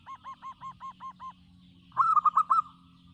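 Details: Local-strain zebra dove singing vigorously: a run of seven even, arched cooing notes with a higher overtone, then a short loud burst of four quick rolling coos.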